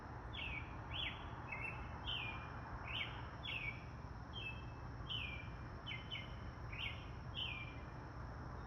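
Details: Birds chirping outdoors near a road, with rabbits nearby; clear, downward-slurred chirps repeated about every two-thirds of a second, around a dozen in a row, over a steady low rumble of passing cars.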